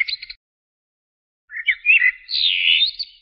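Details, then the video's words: Part of a common blackbird (Turdus merula) song: a few clipped high notes, a pause, then a warbled whistled phrase rising into a long, scratchy high twitter. "تغريد طائر الشحرور جحمومية الزرياب Turdus merula"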